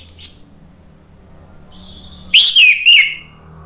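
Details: Orange-headed thrush song played as a lure to make a bird answer. A brief high note is followed by a pause, then a warbled phrase of three notes sliding downward.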